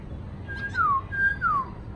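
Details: A caged black-throated laughingthrush, now about 80% settled in its cage, gives two clear whistled phrases, each a level note sliding down into a falling slur, over a low background hum.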